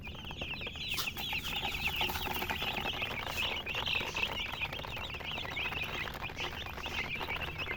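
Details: Baby chicks peeping, overlapping high chirps forming a steady chatter, with occasional clicks and knocks and a low background hum.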